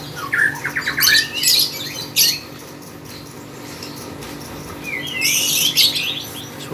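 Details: Lovebird in a bird contest, singing energetically: bursts of shrill, squeaky chirps and harsh high squawks, silent for a couple of seconds mid-stretch before a second burst of rising chirps, with a steady low hum indoors.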